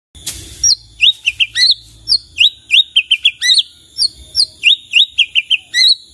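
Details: White-rumped shama singing vigorously to set other shamas answering; a sharp rustle, then a string of high, thin upswept and downswept whistles given in quick clusters with short pauses.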